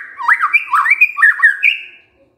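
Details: Murai batu (white-rumped shama) in kretekan style used to rouse emotion: a quick, continuous chain of looping, slurred notes, bubbly and fast, ending on a steady held note that fades to silence.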